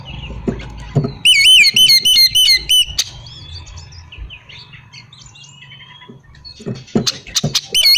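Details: Oriental magpie-robin whistled song, used to provoke other magpie-robins into answering: a loud wavering, warbled whistle repeated about six times in quick succession, then varied chirps and slurred notes, with knocking and tapping sounds at the start and end.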